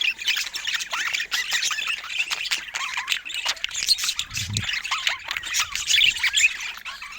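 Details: Several pet budgies at play fill the air with continuous high warbles, clicks and squeaky chirps, an overlapping flock babble that never settles; a brief low thump sounds midway.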